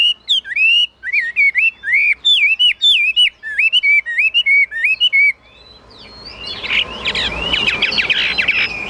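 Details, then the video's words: Chinese hwamei, a caged songbird, singing high: a rapid series of rich whistled notes with wavering up-and-down slurs for about five seconds, then quiet broken by rustling and scraping noise. "Họa mi dáng ngũ trường, bóng bộ cực đẹp, hót cao cầu"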